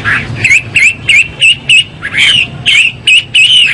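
Chinese hwamei giving loud, rich whistled phrases around three per second, each a slurred, warbling note with bright overtones.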